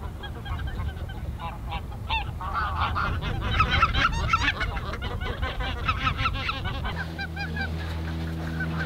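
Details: Flock of greater white-fronted geese at NSG Ahsewiesen, mid-February 2019, early afternoon; dense overlapping cackling honks swelling in the middle, with a steady low hum entering near the end.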